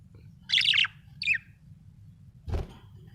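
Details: Happy budgie gives a short scratchy warbled chirp followed by a brief second chirp, then a dull thump, over low background hum.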